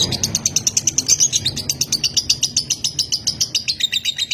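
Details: Lovebird of the konslet type from Nganjuk, singing on without pause. It gives fast, high, scratchy chirps in a steady rattling series of about five notes per second, with faint low background hum.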